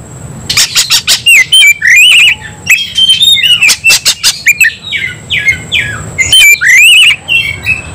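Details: Excited white-rumped shama singing to fight: loud varied whistles with sharp downward sweeps, rapid clicks and raspy buzzes in continuous bursts.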